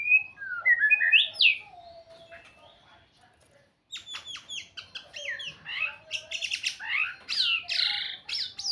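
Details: White-rumped shama sings varied whistles, then a fast run of sharp clicking notes that builds into rich, rapid warbled phrases.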